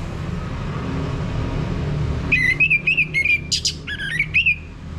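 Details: Anis merah, the orange-headed thrush, in a prompt recording for a male's ngeplong song, North Bali: after two seconds of low hum, a lively string of wavering whistles with brief sharp high notes mixed in.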